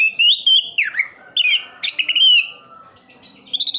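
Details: Full roll song of a kept orange-headed thrush, East Java: long clear wavering whistles gliding up and down, followed by a softer pause and a burst of high rapid chirps at the end.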